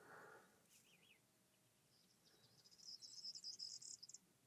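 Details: Corn buntings sitting together on a tree at Kavak Delta, Saros Gulf, Çanakkale, in spring, singing; one gives a high, dry, jangling trill lasting about a second, like shaken keys, after a brief thin whistle and a soft rustle.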